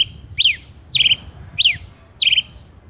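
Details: Male rufous-collared sparrow delivering four bright, high notes. Sharp up-and-down slurs alternate with descending notes that end in a quick fluttering trill, each about 0.6 seconds apart, against a soft low rumble.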